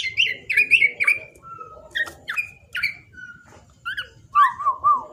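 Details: Young black-naped oriole, said to sing in full variation and used as a lure, mixing short chattering chirps with a level whistled note, sharp downslurs and a final wavering fluty phrase.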